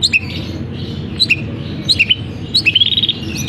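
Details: Long-tailed shrike kept in a cage, in full song with imitations of canary and other birds: sharp high chips in small clusters, then a rapid ascending trill of thin notes. Faint room noise underneath.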